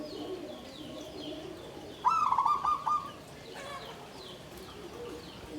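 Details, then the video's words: Zebra dove song, klabang kapipit tumpang sari style ('klarr kete kuk kuk'), from a bird kept in a bamboo cage: a single rolled, bubbling coo phrase of about one second amid soft background chirps. "SUARA PERKUTUT KLABANG KAPIPIT || TUMPANG SARI || KLARR KETE KUK KUK"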